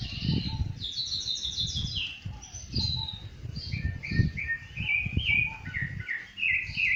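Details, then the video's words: Rufous-bellied thrush singing out in nature. A string of clear, warbling whistled phrases changes pitch from one note to the next, with muffled low rumbles beneath. "Sabiá Laranjeira cantando na natureza"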